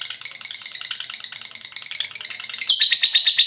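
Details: Lovebird ngekek song, a hurried, jumbled chatter of thin, rasping high notes, building to a louder, shriller burst near the end.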